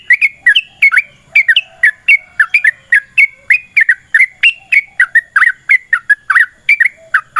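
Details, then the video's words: Long, continuous fighting song from a yellow-vented bulbul, used to spur other bulbuls into reply: dense runs of bubbling, slurred whistles about four per second with no breaks. "TRUCUKAN GACOR TARUNG ROPEL PANJANG Pancingan trucukan Agar Bunyi Jadikan Burung Trucuk Gacor Nyaut"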